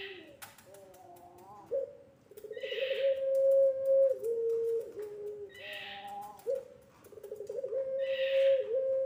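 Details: Puter pelung dove calling, played as a lure and tutor so young doves learn to sing: long, drawn-out, low hollow coos held steadily, with brief noisy bursts between the phrases.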